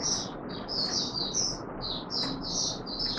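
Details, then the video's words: Oriental white-eye courting on 25 January 2022 after sleeping late: a run of high, rapid warbled notes in short clusters, heard through strong constant background hiss. "Mata Puteh Raja V2 in courtship mode"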